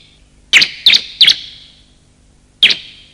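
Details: Bar-winged prinia lure recording of male and female calls: three spaced, slightly slurred high chirps followed after a pause by a single note, each with a short echoing tail.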